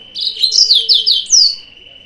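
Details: Yellow-fronted canary singing as a lure to provoke rival birds: a loud, clear run of high, quick, down-slurred whistled notes repeated about five times in two seconds, ending with one longer descending note.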